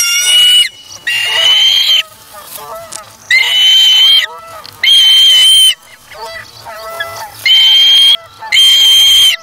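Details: Osprey chick at the Charlo nest on August 3, 2017, after seizing a fish from its parent; loud, shrill squeals in separate bursts roughly every one to two seconds, with quieter chattering between.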